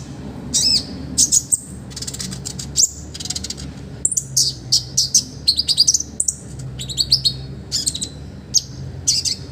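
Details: Energetic olive-backed sunbird singing full, rich phrases for training other birds: rapid buzzy rattles mixed with high, sharp chips and short whistled notes in near-continuous bursts.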